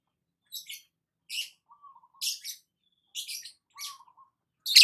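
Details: Long-tailed shrike singing while sunbathing in the morning: separated bursts of harsh, scratchy high chatter with a few low, level whistled notes between them, ending in a loud grating burst.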